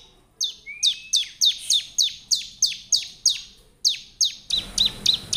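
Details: Challenge song of a bar-winged prinia meant to draw replies from wild birds: a thin rising whistle opens, followed by a steady series of piercing, falling chirps, with hissing noise over the final notes.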